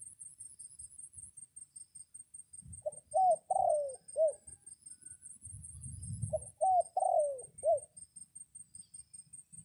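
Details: Red junglefowl used as a decoy, crowing to lure wild junglefowl in rainy weather; two brisk four-note crows, each about a second and a half long, separated by quiet with faint low rumbling.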